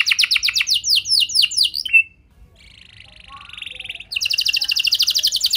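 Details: Canary song used as a lure to get other canaries singing: fast series of high downward-sweeping notes, a pause, a buzzy rattling trill, then a rapid even high-pitched trill of repeated notes.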